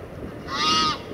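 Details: Egyptian goose among a flock of at least 50 in Kensington Gardens, London, in December: a single drawn-out, nasal honk lasting about half a second, with steady harmonic bands.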